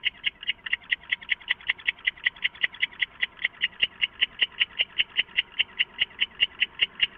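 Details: Owl in a nest box hideout at about 3 AM, 23 August 2014, calling with a quick, rattling run of short repeated notes, roughly two and a half per second, steady throughout.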